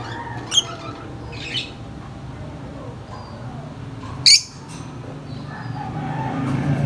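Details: Lovebird giving its high-pitched chirp: three brief, sharp, high squeaks, two soft ones early on and one loud burst near the fourth second, over a steady low hum.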